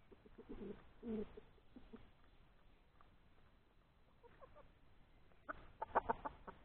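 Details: Domestic hen laying an egg outside in the open: soft, low clucks in two short bursts at the start, a quiet stretch, then a denser run of louder, harsher clucking notes toward the end.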